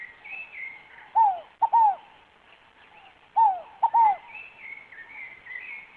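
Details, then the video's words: Scaled dove singing: two phrases, each a short clipped note followed by two loud downslurred cooing notes, about two seconds apart, with faint higher chirps from other birds in the background. "canto da Rolinha FOGO APAGOU"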